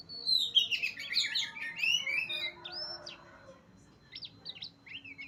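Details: Kacer, the Oriental magpie-robin, at Utan Kayu, Matraman, opens with a loud burst of fast, tumbling whistles and trills, then pauses before a few softer, sharp, looping whistled notes; faint constant hum behind.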